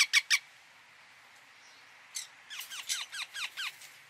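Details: Indian ringneck parakeet: three sharp squeaks open, then a quiet gap. After that comes a rhythmic series of quick, downward-slurred chirps, roughly five per second.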